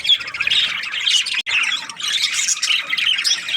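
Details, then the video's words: Several budgerigars chatter at once, with rapid high twittering and harsh squawky notes packed closely together and a split-second pause near the middle. "Budgies parrot chirping sounds"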